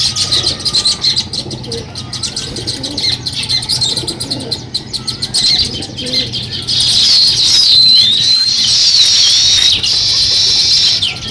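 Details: Sparrow chirping as the birds begin building a nest: dense bursts of quick, sharp chirps. Whistled sliding notes and a bright continuous high buzz grow louder in the second half.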